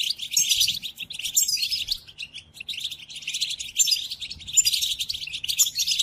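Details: European goldfinch song meant to teach captive goldfinches: loud bursts of fast, liquid twittering with thin high whistles, broken by brief quieter gaps around two and three and a half seconds.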